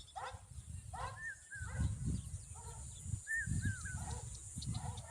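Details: A common babbler making noise to protect its babies: harsh, nasal chattering notes in bursts about every second, mixed with a few short slurred whistles, over heavy low rumbling wind noise. Common babbler.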